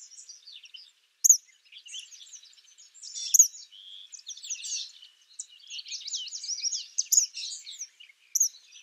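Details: Wild Eastern kingbird (Tyrannus tyrannus) giving its song, a high twittering, sputtering series of scratchy notes broken by piercing thin peaks, with an intense zigzag burst of chatter in the later half.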